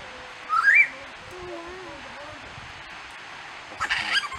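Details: Lyrebird singing on the Fitzroy Falls walk, Morton National Park, NSW, 25 April 2010: a loud, clear whistle sweeps upward once, then faint softer tones and, near the end, a brief harsh, scratchy burst.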